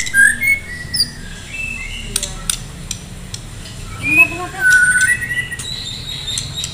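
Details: White-rumped shama from Medan singing in contest-ready form, loud whistled phrases at the start, then scattered clicks and a rising run of short whistles later, over low background hum.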